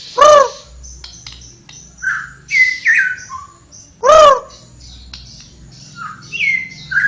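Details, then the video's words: Flowerpecker singing actively: scattered bright whistles, some rising and some falling, interrupted twice by loud, harsh, stacked calls a few seconds apart. "suara burung tledekan gacor"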